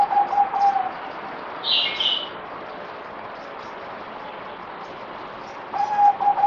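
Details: Zebra dove (merbok) during its fourth deworming day, dated 17 April 2020, opening and closing with brisk rolling series of staccato coos, separated by a quiet gap and one higher chirp from another bird.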